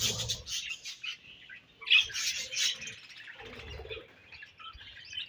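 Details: While budgies eat their favourite food, bright squeaky chirps and a harsh squawk stand out over softer warbling, with faint low pecking knocks.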